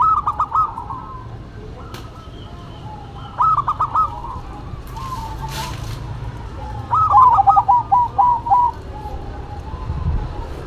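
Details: Zebra doves in duet, one local and one cemani bird: clipped, bubbling cooing phrases of rapid repeated notes, three bursts spaced a few seconds apart, the last one longest, with low background hum.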